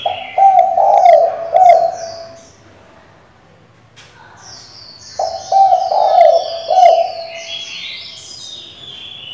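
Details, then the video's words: Female spotted dove calling the male to provoke a decoy bird: two low, husky multi-note coo phrases several seconds apart, with high twittering of other small birds in the background. "Cu gái mái gáy, gù, thúc,... kích bổi cực hay"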